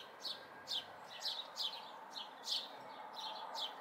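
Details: House sparrow fledglings at a local spot in May 2020 give single short chirps spaced about every half second, with low background noise.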